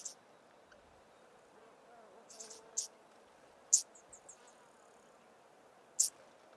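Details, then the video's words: Male Yellow-crowned Bishop sings from a high perch atop a small tree near females foraging in long grass, guarding his patch: thin, very high sizzling bursts, single and in short clusters, irregularly spaced, over soft hiss. "Yellow-crowned Bishop male singing"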